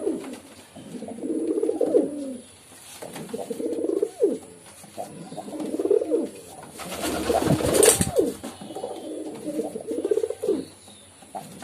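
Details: Pigeons cooing in a steady run of low, throaty, bubbling phrases roughly every two seconds, with a brief louder noisy burst near the middle.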